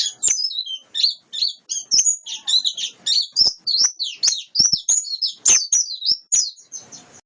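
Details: A wild-caught white-eye delivers a long, continuous warble of high, thin chirps and quick slurred notes, tumbling almost without break over seven seconds in a quiet setting.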